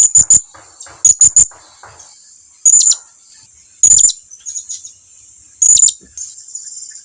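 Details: Blue-crowned hanging parrot calling to draw its companions nearer: shrill, very high piercing notes, first in quick pairs and triplets, then spaced single notes every second or so.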